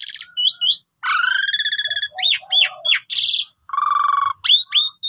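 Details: Pied myna (jalak suren) singing a long, filler-rich lure song to prompt other birds: a harsh stacked buzzy note, looping whistled phrases and a low nasal rattle follow quickly in varied sequence.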